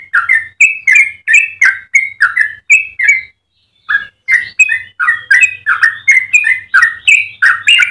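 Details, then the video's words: A yellow-vented bulbul in lively song, the long fast style used as a tutor for other bulbuls. Quick chains of warbled, bubbling notes run about three per second, break off briefly after three seconds, then resume just as rapidly. "Trucukan gacor ropel panjang cengkok termerdu"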